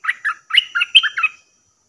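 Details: Bulbul calls used as a lure for wild birds: a quick bubbling run of about eight short, throaty chirps with warbled notes, varying up and down in pitch. The calls stop abruptly and quiet follows.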